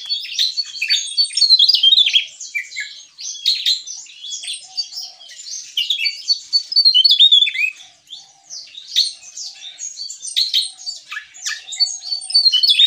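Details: Javan tesia in full gacor ngeplong song, pouring out rapid, sharp high twitters and tinny trills in bursts every second or two, the phrases jumbled and overlapping, with brief quieter gaps, while a faint low hum runs underneath.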